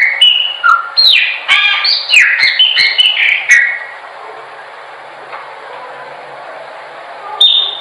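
A chopi blackbird sings a rich, rapid run of clear whistles, slurred notes and chuckles for about four seconds, then a softer pause and one bright whistle.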